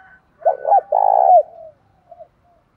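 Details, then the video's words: Spotted dove fight-provoking call for stimulating decoy birds. A single phrase: a quick double coo, then a long, evenly vibrating coo that slurs downward, followed by a soft short trailing note. "chim cu gáy thúc đấu. tiếng chim cu gáy kích bổi"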